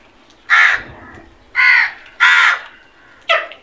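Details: Crows searching for food: four harsh, hoarse caws, each about a quarter second long, spaced irregularly, the last one shorter and fainter.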